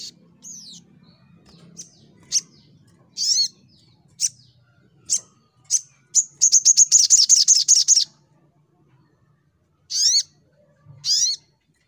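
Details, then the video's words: Sunbird in fighting mode, full fighter style: spaced high chips and buzzy bursts, then a rapid, dense trill of thin notes, then two more loud buzzy bursts after a pause, over a faint low hum. "Burung SogokOntong N3mbak Full Fighter"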